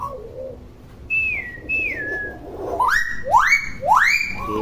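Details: Talkative hill myna giving two falling whistles, then three loud upward-sweeping calls in quick succession, ending with a short nasal note.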